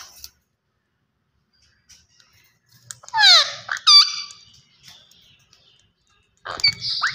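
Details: Green ringneck parakeet talking: after a quiet start, two loud, harsh, harmonic squawks falling in pitch around the middle, then more scratchy rising calls near the end.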